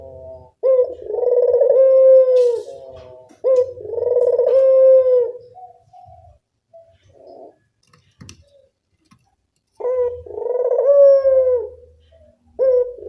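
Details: Puter dove of a local type giving a lure call: two long hollow coos, then a quiet gap with faint clicks, then the drawn-out cooing resumes.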